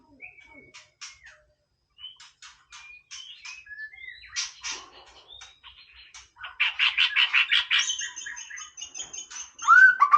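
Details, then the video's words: White-rumped shama singing a varied song of clear whistled notes, slurred phrases and rapid clicking trills, building to a loud run of repeated buzzy notes near the end, in a quiet indoor setting. "นกกางเขนดงร้องเล่น Shama Bird"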